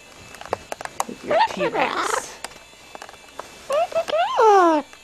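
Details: Indoor pet double yellow-headed amazon, a female, romping under bed sheets: rustling and tapping clicks, a rising squeak, a rough squawk, then three loud arched whining calls in a row, each swooping up and down.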